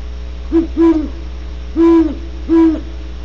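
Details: Deep hooting of a Great horned owl, California: a short hoot, a longer one, a pause, then two drawn-out hoots in a rhythmic pattern, with a faint continuous hum underneath.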